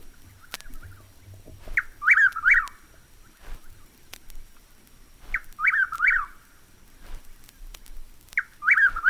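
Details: Chuck-will's-widow singing its whistled phrase three times, about every three seconds: a short low note, then two rising and falling slurred whistles, with faint background hiss between phrases.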